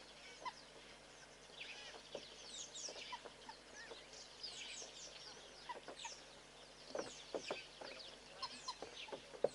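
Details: Southern pied babbler hopping along a fence, giving short harsh clucking notes in irregular bursts, louder near the end, over a steady backdrop of thin, high chirps and sweeping whistles from other birds.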